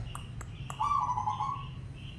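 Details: Zebra dove call used to prompt other doves to sing: a single mid-pitched, rolling, trilled coo lasting under a second, preceded by three sharp clicks, over a steady low rumble.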